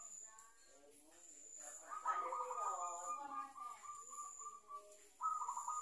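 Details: Practising zebra dove, a lure-trapped bird that has begun cooing regularly, delivers a drawn-out rolling coo lasting about three seconds, then a fresh trilled burst; a man's voice is briefly heard at the start.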